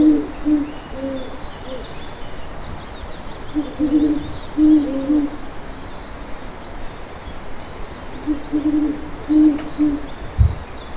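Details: Owl giving low hoots in short bursts across the recording, several clusters of hollow, even-pitched notes separated by pauses of a few seconds, with a quiet background of faint insect hiss and a single thump near the end.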